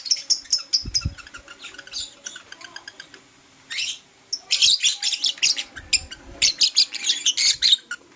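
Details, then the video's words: Morning chirping from Blue Opaline and Parblue Euwing Opaline lovebirds, with sharp high squeaky notes in quick series, a short pause, then a louder packed burst of overlapping shrill chirps. "Lovebird Chirping Sounds"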